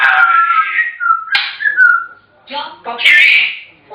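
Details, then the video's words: African grey parrot mixing steady whistled tones with speech-like chatter, ending in a bright high whistle and squawk. "Chatterboxes!! African Grey Parrots"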